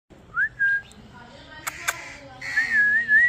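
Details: A kiwi-blue Indian ringneck parrot, a talking bird, gives clear, tonal whistles: a quick rising note and a held one, then a longer wavering whistle, with two sharp clicks between.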